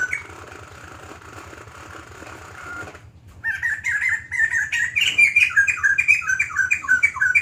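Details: After three seconds of droning background noise, a White-crested laughingthrush starts a loud, rapid song of warbled whistles that climb and drop, continuing to the end.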